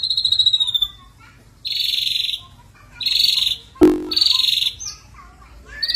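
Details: Ashy drongo in lively song with filler phrases: a descending whistle, then separate short buzzy bursts at high pitch with gaps between them, one sharp broadband click, and a brief upturned note at the end.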